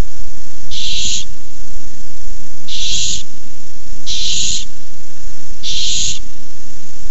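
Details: Four drawn-out, noisy hissing screeches from barn owls squabbling over a tiny mouse on 6-4-15, spaced one to two seconds apart above a faint low rumble.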